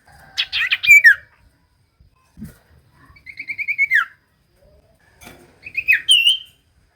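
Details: Common iora song for coaxing reluctant birds: three phrases of rapid chirps, one a quick repeated trill, each closing with a descending whistle.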